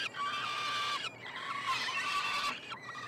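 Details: Peregrine falcon nestlings being fed at a Montreal university nestbox, Quebec, Canada, in June; a pair of long, coarse screeching wails followed by a brief falling squeal.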